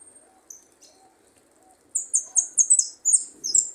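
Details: Goldfinch youngster rehearsing its song with good prio: after quiet, a quick run of high bright twittered notes, about four a second, fills the last two seconds, with a faint low murmur underneath.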